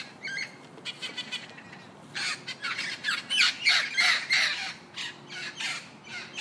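A parrot gives harsh, broadband squawks and chattering bursts, about three a second, louder and denser in the middle, with a quiet background.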